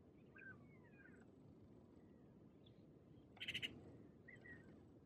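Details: Maghreb magpie at Oued Souss, Morocco, in November 2018 gives one short, harsh burst of about four rapid rattling notes, over a steady low rumble with faint calls from other birds.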